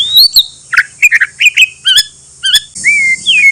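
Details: White-rumped shama song played to provoke rival shamas into answering: a rapid run of varied whistled and slurred notes, some twangy and wavering, ending in two long steady clear whistles over faint background hiss.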